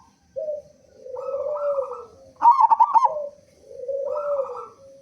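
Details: Loud-voiced local zebra dove song meant to prompt other doves to start singing: drawn-out low coos bracketing a sharp stuttering trill of quick notes, with a further coo at the end.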